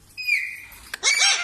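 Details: Parrot calling: a drawn-out whistled note easing downward, a sharp click, then a loud harsh squawk, with a person repeating short words nearby.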